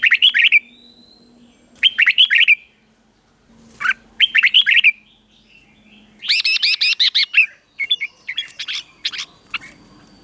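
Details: Caged-bird training song of a Red-whiskered bulbul, doubled 'เบิ้ล' style: several warbled phrases of quick slurred notes, followed by a higher, rapid series of repeated notes and scattered single chirps.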